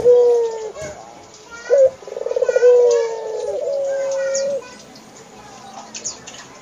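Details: Barbary dove kept in a home, giving a single full rolling coo: a short sharp note, then a trilled, drawn-out murmur. A lower hum continues afterwards and then quiet.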